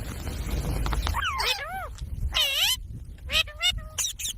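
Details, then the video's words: Talking parrot giving arching, wavering whistled sounds in short bursts separated by pauses, over a steady low rumble that fades partway through. "Parrot Sound Videos | Parrot Sounds | Parrot Video | Talking Videos Compilation"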